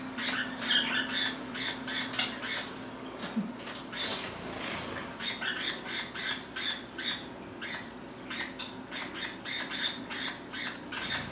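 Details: Several pet lineolated parakeets together in a small room, one stepping right up to the camera; lively run of quick, sharp chirps and squawks, dense and near-continuous, with a brief rustling burst around four seconds and a faint low hum.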